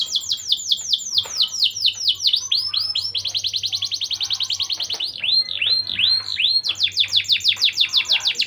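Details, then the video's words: Constantly singing canary used as a lure to rouse young canaries' breeding drive: rapid series of high, downward-sweeping chirps, brief rolling trills and a slower run of looping whistled notes near the end. "Dongkrak Birahi kenari muda Dengan pancingan burung kenari gacor satu ini. Kenari gacor cuit-cuit"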